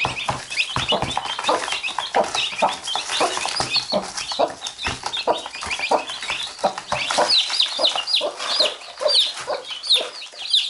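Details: Mother hen with her chicks; the chicks keep biting her and she pecks at them in return. Dense, overlapping high thin peeping from many chicks runs throughout, mixed with lower short clucks.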